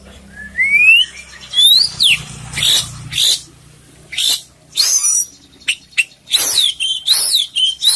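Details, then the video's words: Oriental magpie-robin of the kacer poci kind in lively full isian song: rising whistles, steep downward-sweeping notes and sharp clicks, delivered in quick separate bursts, with a low hum early on. "suara kacer poci gacor full isian"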